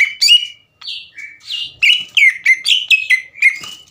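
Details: Green leafbird, a 'gacor' caged bird singing to provoke rivals: varied loud whistled notes and slurred phrases, some rising and some falling, broken by short pauses, with sharp chips mixed in.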